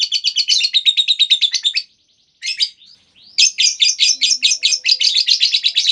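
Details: Lovebird ngekek panjang used as a lure for other lovebirds: fast, rhythmic, chattering high trills in long bursts, broken by a short pause and a few slurred notes, then resuming strongly.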